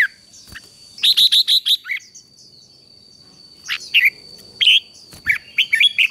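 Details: Red-whiskered bulbul song meant to stimulate a freshly caught bird into fighting song: a run of six loud, ringing whistled notes, followed by scattered sharper chirps and a quick twittering ending, with a constant thin high tone.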